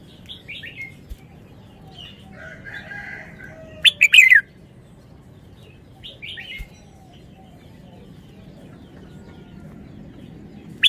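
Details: A caged red-whiskered bulbul showing off wild-style (phleng pa) song phrases. One loud, sharp, descending whistled flourish sits mid-recording amid softer chattering notes, then a brief call at the very end.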